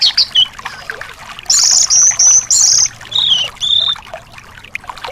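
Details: Thrush singing, played as therapy for caged thrushes that have stopped singing: high sustained whistles in short runs, then lower drawn-out whistled notes, over soft background bird chatter.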